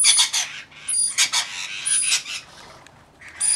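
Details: Rainbow Lorikeets, a flock of about 40 looking after one baby, give loud rasping screeches and scratchy chatter in dense clusters, with a brief lull before another burst of harsh calls at the end.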